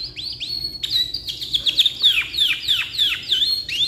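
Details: Canary, black-red rolling type, in long tutoring song: rising whistles, then a series of loud down-slurred whistled notes repeated roughly every third of a second, closing with an upward slur.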